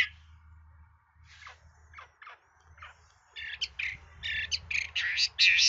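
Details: Hwamei singing a varied song praised by bird keepers: faint scattered notes at first, then a loud burst of rapid, harsh chattering phrases in the final two seconds.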